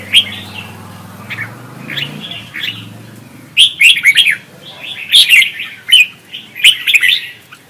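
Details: Red-whiskered bulbul in Vietnam performing competitive song, used as decoy audio to make other bulbuls sing. Short bright whistled notes at first over a low hum, then loud, rapid clusters of ringing chirps and warbles in quick bursts.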